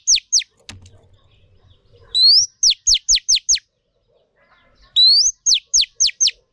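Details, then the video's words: Female Oriental magpie-robin, used in training to stimulate males. Two phrases, each a rising whistle followed by a run of five clear falling notes. A faint rustle and a click occur between them. "Choè than mái kích trống hay nhất"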